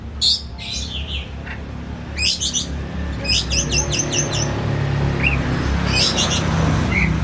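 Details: Caged Oriental magpie-robin in agitated song. Rapid stuttering trains of high harsh notes alternate with short whistled upslurs over a strong continuous background rumble.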